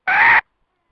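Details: Red junglefowl hen call used to lure wild birds into a trap: a single short, harsh, nasal squawk lasting under half a second, steady in pitch, in otherwise silent surroundings.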